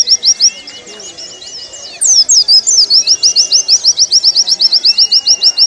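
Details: Warbling white-eye (pleci) song from a training recording for caged birds: a brief high chirping phrase, a quieter pause, then a loud rapid string of about twenty short, high, even notes.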